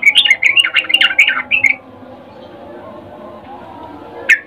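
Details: A female sooty-headed bulbul calls to a male in breeding condition: a rapid, bubbling run of bright chirped notes lasting under two seconds, then silence and one final short note.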